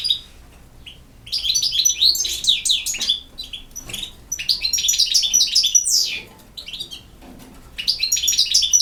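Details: Campero-style song from a European goldfinch: long runs of fast, high, twittering notes mixed with buzzy chirps and sharp descending slurs, delivered in extended bursts broken by brief pauses; nothing else clearly audible.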